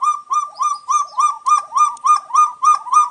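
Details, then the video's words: Steady series of arched, mellow notes from a quail in the clean 'gong gong' style, about three and a half per second. The rhythm is very regular and the tone is bright with overtones. "SUARA BURUNG PUYUH GONG GONG BERSIH"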